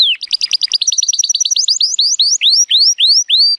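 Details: Timbrado Español canary, a male born in 2018 and rated 83 points, singing powerfully on a sunny day; rapid series of rising-then-falling chirped notes that slow into longer upward-sweeping whistles toward the end.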